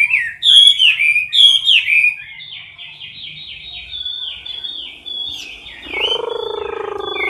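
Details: Chinese hwamei singing in competition style inside a cage, filmed close up: loud rich whistled phrases with sweeping notes, then a softer run of rapid repeated notes, and a low droning tone entering near the end.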